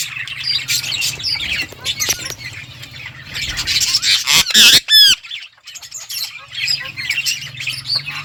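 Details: Colony of budgerigars in a flock, rapid overlapping chirps and squawks, a loud burst of chatter near the middle followed by a sharp downward whistle, then quieter chattering over a low hum.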